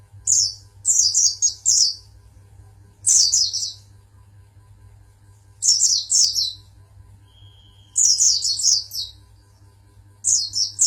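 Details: Oriental white-eye, champion songbird from Pangandaran, delivering clusters of shrill, rapid chirps every two to three seconds, each burst three to five squeaky notes, with one thin sustained whistle between bursts and a low background hum.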